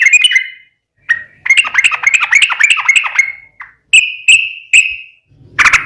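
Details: Sooty-headed bulbul (trucukan) in long rolling song, sharp notes around the middle range with trills, a run of rapid linked phrases, then loud level whistled notes and a final burst.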